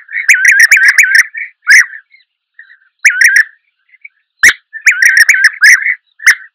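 European Bee-eater giving bursts of rolling, liquid 'prruip' calls in quick clusters, with pauses between, and a couple of sharp clicks.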